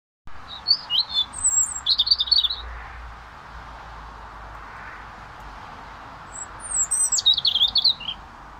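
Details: A friendly European robin in Scotland sings two thin, high, tumbling phrases of quick twittering notes, separated by a pause of several seconds, over a steady low background hum.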